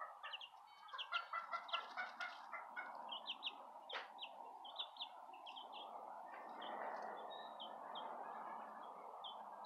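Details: Southern Rambler chicks with a Golden Comet chick, chirping rapidly in high, short notes over a steady low hum, the peeps thinning out toward the end.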